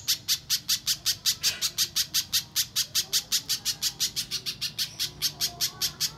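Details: A steady string of piercing, clipped notes from a little spiderhunter, about three per second, in a long-duration lure track played to coax untrained captive birds into song.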